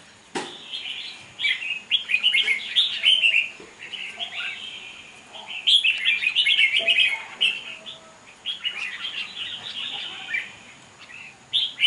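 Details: Red-whiskered bulbuls in a singing battle of wild-caught birds on 5 November 2023. Long runs of fast, bright chirps and warbles are broken by sharp knocks, and the song swells and pauses repeatedly.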